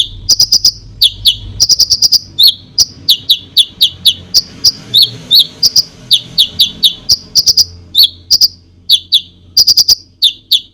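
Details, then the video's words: Konin pouring out a dense, nonstop song to make other birds aggressive: quick high downslurred chirps and short clicking rattles follow each other almost continuously over faint low background noise. "KONIN GACOR FULL ISIAN BOCOR BUAT BURUNG LAIN CEPAT EMOSI"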